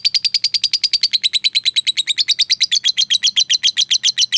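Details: Lovebird of fighter type calling a rival with a long ngekek chatter: a fast, steady stream of harsh, buzzy notes, about seven per second, held without a break.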